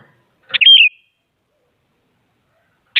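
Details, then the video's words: Sooty-headed bulbul, very active, singing to make rival bulbuls answer: a sharp opening note runs into a rolling, liquid whistled phrase, then silence and the start of another note at the end. "Suara Burung Kutilang Paling Aktif Memaksa Lawan Agar Bunyi Jadikan Kutilang Ikut Gacor"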